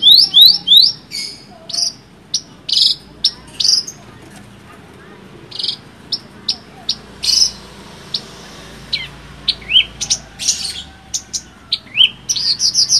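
A bush lark sings a lively, varied run of high chirps, whistled slurs and buzzy notes, several a second with short pauses. Faint background hiss.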